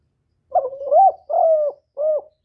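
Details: Close recording of a spotted dove, called cu gáy or cu đất, in the thổ style. The three-part coo opens with a wavering, rising note, then a long steady one, then a brief soft ending. No other sounds are heard.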